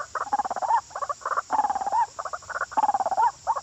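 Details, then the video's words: Frenzied, agitated white-breasted waterhen: loud pulsed croaking phrases that end in brief upward whistles, grouped in bursts about forty-eight times a minute, with a faint steady high hiss behind. "Burung ruak-ruak kesurupan"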